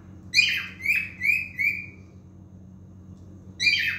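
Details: A male cockatiel gives four loud whistled notes in quick succession, the first sharply downslurred, then pauses before starting a new phrase.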